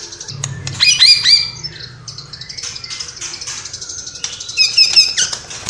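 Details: White-rumped shama song mixed with mimicked calls of other birds: fluid whistled phrases with sharp rising notes and chattering segments, a low hum beneath.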